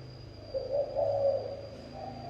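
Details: Spotted dove cooing in local style: a short phrase of two or three low, soft, slightly wavering coos at an even pitch, with a faint steady whine and low hum behind.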